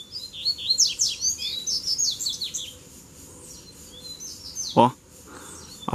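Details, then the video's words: Three double-collared seedeaters drawn in to fight at once in a song duel, answering a singing lure bird. Fast twittering phrases of high, sharply falling and rising notes over about three seconds, then sharp knocks and handling clatter. "VEIO 3 COLEIROS BRIGAR DE UMA VEZ SÓ DUELO DE FIBRA!!!"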